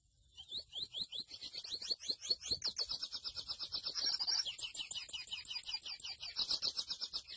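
A grey seedeater sings a long, fast, high twittering song of rapid repeated notes and buzzy trills, varied in pace, with nothing else heard.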